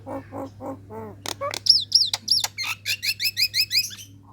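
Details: Female Nias hill myna calling males to draw out rivals. Four low nasal notes open, followed by sharp clicks and high, looping whistles, then a brisk series of about eight quick upslurred chirps, with a faint electrical hum beneath.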